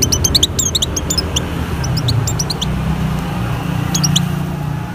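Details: Breeding-condition Oriental white-eye, sound used to draw in other white-eyes: scattered clusters of thin, very high chirps in short runs separated by pauses, over a steady low humming background.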